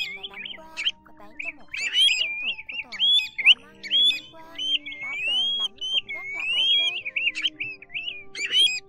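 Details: Pacific golden plover calls used as a lure for night-net trapping of migrating birds in August 2024: clear, slurred whistles rising and falling, given rapidly and overlapping with sharper chips, over a faint steady low hum.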